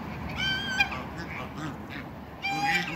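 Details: Backyard Toulouse and African geese, kept together to create a new hybrid, give two bursts of loud, harmonic, nasal honks, the first near the start and a second about two seconds later, over a low steady rumble.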